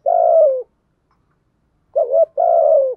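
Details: Spotted dove decoy for luring wild doves. The tail of a long, low, steady coo is followed after a pause by a short wavering note and another drawn-out coo that drops at the close.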